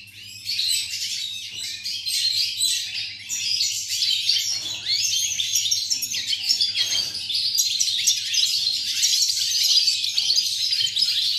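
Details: European goldfinch, recorded 8 November 2018, delivering a continuous, rapid, jangling twitter of liquid chirps and trills without a break, with a constant low electrical hum underneath.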